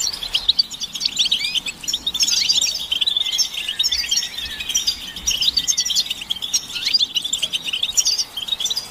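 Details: European goldfinch chorus played to spur males into singing, described as mating and readiness calls; steady, busy high twittering with interwoven buzzy trills and thin whistled slurs.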